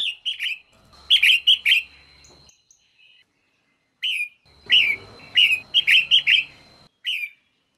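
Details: Female red-whiskered bulbul, used to spur males to sing, giving quick series of bright chirps, four or five notes per run, in two bursts separated by a short pause, with a faint steady tone behind.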